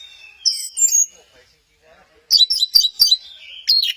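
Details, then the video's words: Orange-headed thrush at Kesamben, swaying 'goyang inul': two high whistled phrases, a short pause, then a fast series of sharp high chirps and a thin whistle. "Burung Anis merah, lagi goyang inul"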